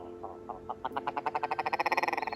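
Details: Willow ptarmigan heard at 1 a.m. from a tent at a campsite pull-off on the Denali Highway, Alaska, calling again louder: a nasal, clucking rattle of about twenty notes that starts slow and quickly speeds into a rapid stutter.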